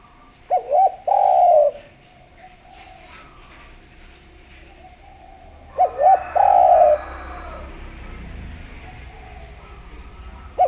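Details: Lively spotted dove giving sweet coos used to lure others to call: two short bursts of low, rounded cooing notes about five seconds apart, over a faint steady hum.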